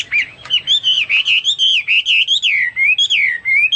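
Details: A Hwamei delivering a continuous, melodious warble of smooth wavering whistles, rising and dipping in a flowing, unbroken phrase.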